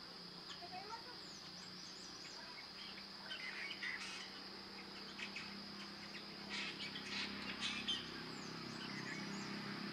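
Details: Hair-crested drongo, Dicrurus hottentottus, in Ranikhet, Uttarakhand, in the Indian Himalaya, calling loudly from a perch while competing with a Himalayan treepie and sheep. Scattered short chirps and whistled notes, under a steady high buzzing hum and a low drone.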